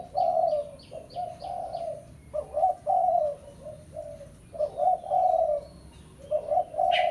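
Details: Spotted dove of pesom type calling a rival as a lure. Throaty coos run in uneven phrases of short and drawn notes. A few quick high chirps from another bird come near the start.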